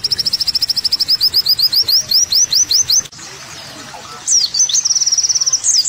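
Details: High olive-backed sunbird chirps come in a quick series of clipped notes that lengthen into hooked whistles. A sudden near-silent break follows, then a renewed thin, rapid twittering run.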